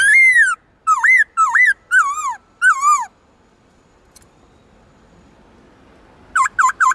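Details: Singing black-throated laughingthrush, a bird with many voices: a long falling whistle, then four wavering, looping phrases, a quiet gap, and three quick short whistles at the end.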